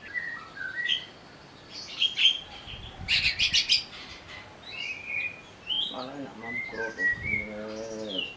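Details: A greater green leafbird, stirred into agitated singing, mixes short slurred whistles with a harsh rattling burst, then lower nasal, harmonic notes toward the end.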